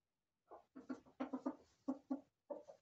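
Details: Chickens in a corral, hens and roosters: low, soft, muffled clucks in a loose series of about ten notes, heard from a distance or indoors.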